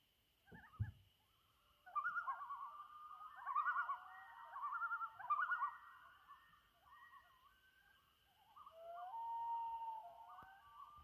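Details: Loons at sunset on Trout Lake in May 2019: a rapid quavering tremolo rises and falls in bursts over several seconds, then a long smooth wail swells near the end, over a steady high thin hum.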